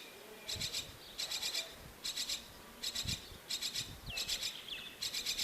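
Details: Young myna chick in a bird house nest awaiting its mother; a steady series of harsh, buzzy rasping bursts, each split into rapid pulses, repeated about every half to one second, with a couple of short upward chirps.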